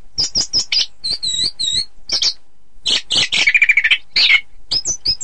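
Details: Orange-headed thrush song for contest training: rapid high chirps and squeaky doubled notes, then a fast rattling trill of clear whistled pulses, ending in bright chips.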